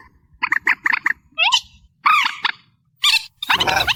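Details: Reed warbler, amplified: a few harsh chattering notes, then two slurred arching syllables and a rasping note. A short burst of broadband noise follows at the end.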